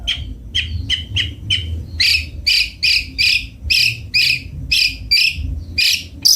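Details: Long-tailed shrike, known as cendet bondol, opens with quick clipped chirps, then switches to longer harsh buzzy notes, about two per second, steady and insistent over low background noise.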